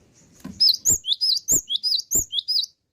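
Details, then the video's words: A loud, clear burst from a cinereous tit (gelatik batu) in full song: a rapid string of piercing high whistled notes, each with a quick upward-then-downward inflection, about four per second, punctuated by crisp clicks. "GELATIK BATU YANG SUDAH GACOR"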